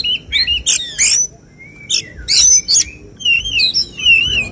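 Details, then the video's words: Oriental magpie-robin in a singing competition giving 'tembakan' phrases: harsh bursts, a thin long whistle, then wavering warbled notes sliding up and down. "Suara tembakan Kacer yang diincar juri saat lomba burung berkicau"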